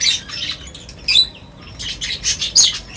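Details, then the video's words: A group of birds gathering at feeding time, with short, harsh chirps and squawks in rapid uneven bursts, including a brief quiet gap midway. "Birds Feeding Time Sounds | Birds Chirping sounds"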